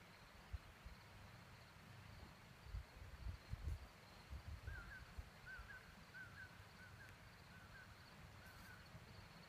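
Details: Common poorwill at Page Springs Campground, Malheur NWR, giving soft, whistled two-part 'poor-will' notes, repeated about once a second in the second half, over a low rumble and a steady high insect drone.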